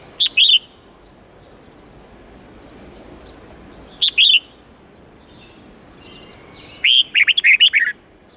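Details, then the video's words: Red-whiskered bulbul forest-style song of 8–10 notes, aimed at training young birds. Two short paired whistles about four seconds apart lead into a quick, rolling phrase of six or seven bright notes, over soft hiss. "Luyện chào mào hót âm 8-9-10 giọng chuẩn rừng xoắn tít"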